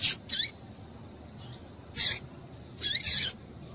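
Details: Rapid clusters of harsh high chips and short downslurred notes from a female Double-collared seedeater, a call to stimulate males, mostly paired notes close together, against quiet background hiss.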